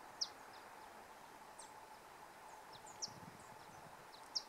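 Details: Giant hummingbird (Patagona gigas) perched at close range in Ecuadorian páramo giving three loud, sharp, high chips spaced a few seconds apart, with fainter chips between, over a steady background hiss.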